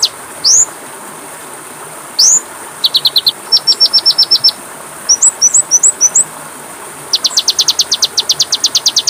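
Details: Magpie-robin training recording (masteran) with varied phrases: two rising whistles, short bursts of clipped high notes, a cluster of looping chirps and a closing fast rattle of high notes. The background is quiet.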